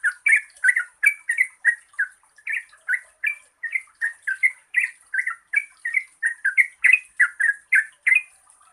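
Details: Yellow-vented bulbul in long 'gacor ropel panjang' lure song for birds that seldom sing: a steady stream of bubbly, chortling notes, roughly three each second, kept up without pause.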